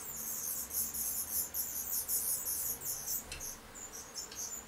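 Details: Black redstart (Phoenicurus ochruros) chicks being fed give a dense chorus of very high, hissing, cricket-like begging notes in rapid bursts for about three seconds, then fainter scattered peeps.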